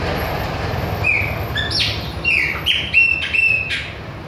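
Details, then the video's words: Chopi blackbird of the Bahian type singing persistently in front of other birds: clear whistled notes, some held flat, others sliding, broken by short buzzy bursts, over a low rumble of distant traffic. "PÁSSARO PRETO BAIANO NÃO PARA DE CANTA NA CARA DOS OUTROS !"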